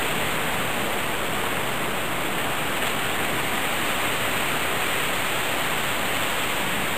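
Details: Constant loud rushing noise, like a waterfall or heavy static, fills the whole stretch.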